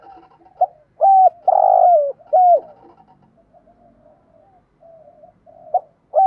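A spotted dove gives loud, mellow coos in short bursts, a challenging call that draws rival doves in.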